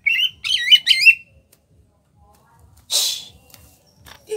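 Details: Kalimantan greater green leafbird, small-bodied, bursts into a brief ngentrok phrase of wavering whistles that lasts about a second. A harsh noisy burst follows after a quiet gap.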